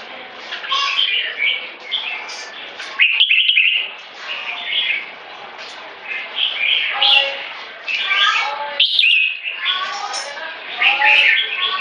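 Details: A red-whiskered bulbul sings in the one-stroke style that leads into keke. Rich warbled, bubbling phrases of short whistled notes come in bursts, with brief gaps.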